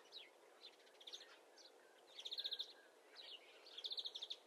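A greenfinch gives quick, high trilled bursts of five or six rapid notes, with a few short chirps between, over a steady background hiss.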